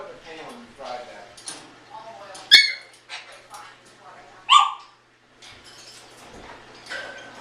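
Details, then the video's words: {'caption': 'Adopted 16-year-old African grey parrot indoors, repeatedly asking its owner the same question during cleaning; speech-like chattering phrases broken by two sharp, loud whistled squawks, then quieter mumbled syllables.'} "Talking African Grey parrot"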